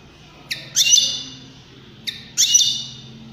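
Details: Two drawn-out, nasal wheezing notes from a European greenfinch, each opened by a brief sharp note, spaced about a second and a half apart.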